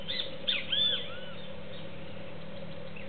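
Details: Feeder visit by a juvenile cowbird contending with doves over seeds: a rapid run of arched, slurred high chirps in the first second, then quiet with a faint note near the end, over continuous hum.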